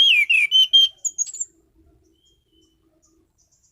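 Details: Orange-headed thrush (anis cendana), a caged songbird, delivers a fast phrase of falling and level whistles ending in thin very high notes, then goes quiet.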